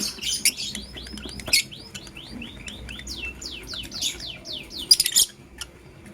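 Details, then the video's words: A pair of lovebirds, blue opaline and green personata, chirping in the morning, said to be in love: about a dozen clear descending tweets in quick succession, framed by harsh scratchy bursts at start and end. "Lovebird Chirping Sounds in Love"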